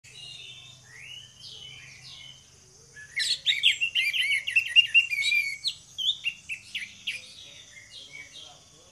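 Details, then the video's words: Two orange-headed thrushes in full 'ngeplong' song, used as a lure to set other birds singing. After three quiet seconds, a loud burst of varied whistles and quick trilled notes runs on, fading into scattered softer phrases, with a low hum beneath. "DUO ANIS MERAH NGEPLONG GACOR, PANCINGAN ANIS MERAH BIAR BUNYI"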